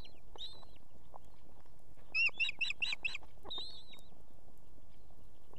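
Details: At an Estonian nest with two chicks, a female osprey calls on an evening for the male to bring food. A quick series of five sharp, piercing notes sits between drawn-out slurred whistles, over a low rumbling background.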